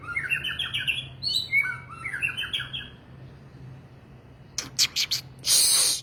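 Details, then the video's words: Song of the white-rumped shama, known as murai batu: fast stacked whistled phrases with sliding notes for about three seconds, then a pause and several sharp broadband clatters and a loud hiss. "मैगपाई पक्षी bird magpie murai batu"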